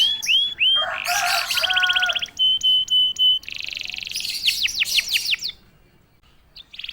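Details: Canary singing immediately after being prompted: loud repeated rising whistles, a fast buzzy rolled trill, clear sustained tones in short bursts, then a series of sweeping whistled notes before a brief pause.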